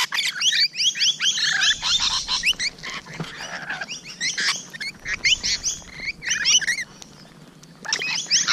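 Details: Rainbow lorikeets heard close up on a June 2017 morning: a busy stream of harsh, rising and falling squeaks and screeches from several birds, briefly easing near the end before resuming.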